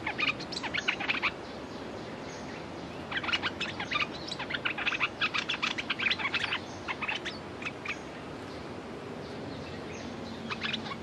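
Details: Caged decoy red-whiskered bulbul calling to provoke a territorial wild bird. Bursts of lively chirps and slurred twitters come in clusters of a second or two, separated by brief gaps, over faint steady background noise.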